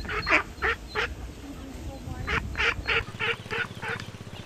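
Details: Duck at a pond with ducklings, giving a run of harsh, nasal, quacking calls in quick bursts about three per second, pausing, then resuming, over a steady background rumble and constant hiss.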